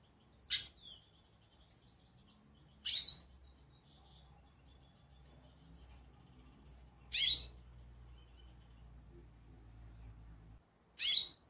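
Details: Goldfinch calling: four short, high, sharp chirps at irregular intervals of two to four seconds, with faint thin whistles and low hum in the background.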